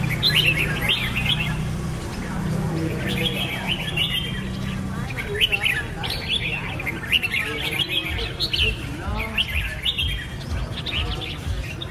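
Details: Extended Red-whiskered bulbul (Pycnonotus jocosus) singing, many rapid rising and falling chirped notes, overlapping voices, continuous for twelve seconds over a low droning background.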